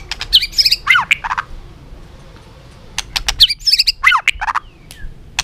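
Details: White-rumped shama delivering two matching bursts of rapid, rich warbled notes mixed with sharp clicks, separated by a short pause, with a faint thin whistle at the close.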